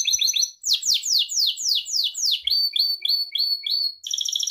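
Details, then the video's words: Pet Gloster canary in song meant for training: quick chirps, a series of long downward slurs, repeated hooked whistles about four per second, ending in a buzzy roll. "Gloster Kanarya Kuşunuzun Eğitimi İçin Orjinal Kanarya Sesi Gloster Kanarya Ötüşü Canary Singing"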